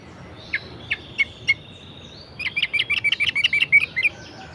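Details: Orange-headed thrush in a lively varied song meant to stir lazy birds into singing: a few sharp separated notes, then a fast run of bright chirped phrases around a thin high whistle.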